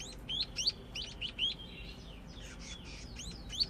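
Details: Young scaly-breasted munia learning to sing: quick series of high, thin upswept chirps, some doubled, then a soft warbling stretch and more sharp rising notes near the end, over faint steady background hiss.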